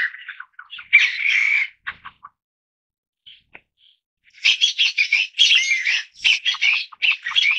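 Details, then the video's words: Taiwan bamboo partridge family group, a Taiwan endemic of mid- and low-elevation forest: loud harsh squawking notes in rapid irregular bursts, a dense run near one second, then after a pause a long chattering series of grating syllables. "台灣竹雞-全家福/Taiwan Bamboo Partridge-Family portrait"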